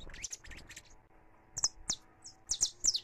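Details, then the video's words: Brief stretch of a saffron finch singing free, recorded live: a few scattered high chirps, then sharp, bright notes in quick pairs near the end. "CANÁRIO DA TERRA CANTANDO LIVRE"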